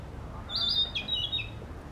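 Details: Narcissus flycatcher in an urban park practising song: a clear, high whistled phrase, a level note followed by quick slurred notes dropping in pitch, lasting about one second, over faint low background hum.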